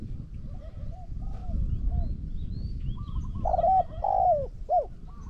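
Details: Spotted dove coos as a decoy bird faces a wild bird that calls very well. Faint distant coos come first, then a louder burst of short, throaty, hooting notes near the end. Steady low background rumble.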